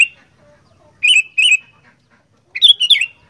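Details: Sooty-headed bulbul, known as kutilang, singing gacor fighter style: two clipped liquid notes in quick succession, then a longer gurgling phrase that rises and falls, all bright and loud.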